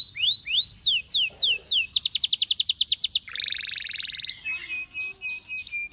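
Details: Canary song with repeated downward slurs, a crisp series of sharp descending notes, a buzzy rolling trill, then short clipped chips in a stuttering rhythm.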